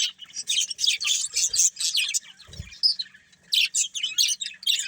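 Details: Breeding pair of budgies chirping: rapid strings of short, scratchy tweets in separate bursts, a quieter stretch in the middle with a soft thump, then renewed chattering.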